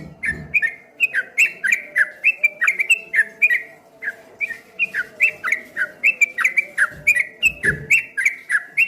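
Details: A streak-eared bulbul sings in a wave-like rippling style, pouring out bright clicking chirps about four per second for nearly nine seconds, with two brief low thumps and a steady hum behind.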